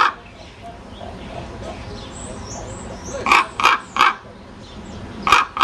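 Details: Common raven croaking: three loud, coarse, hoarse calls in quick succession, then two more near the end, with light bird chirps and background rumble in between.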